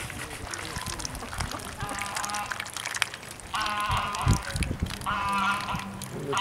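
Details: Ducks feeding in mud, digging for food and eating a root, give bursts of nasal, buzzy, honking calls in repeated series, with splashing and squelching in the mud and people talking nearby.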